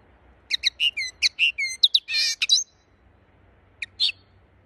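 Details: Linnet song: a rapid run of bright, varied twittering notes and short upslurred whistles, ending in a dense buzzy burst, then a pause and two final chirps. Faint low hum underneath.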